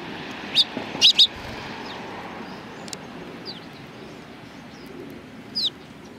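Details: Sparrows at a Tenmangu shrine on 31 March 2020 give a few short, high chirps: one at first, then a quick pair, and a last one after a long pause, over a soft, steady background hum.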